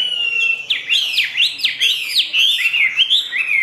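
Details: Caged Chinese hwamei singing loud, clear whistled phrases: a long level whistle, then a fast run of sharply rising and falling slurred notes, about three per second, full and ringing.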